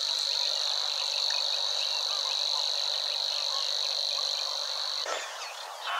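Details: Singing Savi's Warbler in marshland near the Weerribben at Wetering West, Overijssel, Netherlands, recorded 6 or 7 May 2022: a continuous high, dry insect-like reeling trill that holds steady for about five seconds, then breaks off.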